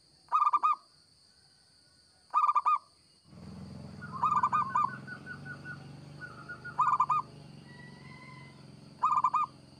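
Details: Singing local zebra dove used as a lure: sharp bursts of rapid coo notes about every two seconds, while a broad rumbling noise and a softer rolling trill join partway through, under a constant high whine.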